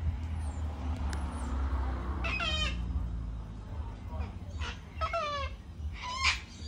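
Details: Cockatoo calls at sunset, a few rough, buzzy squawks in separated bursts with wavering, falling tone, set against constant low background rumble and some faint high squeaks.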